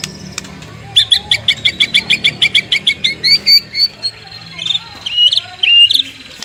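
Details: Morning song of a white-rumped shama, played to prompt other shamas to answer: a rapid series of sharp repeated high notes, followed by twisting warbled whistles and short pauses, over a soft low hum.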